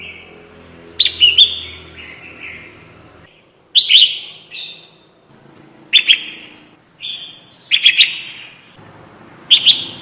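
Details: Red-whiskered bulbul lure call for trapping: bursts of sharp doubled chirps with slurred whistled tails, repeated roughly every two seconds, with a soft low hum behind.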